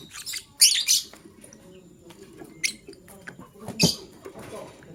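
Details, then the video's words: Male lovebird choosing a partner, heard in the morning: a loud grating chirp pair at the start, then isolated thin squeaks and a sharp chirp later, over low rustling. "LoveBird Chirping Sounds - Male LoveBird Choose a Partner"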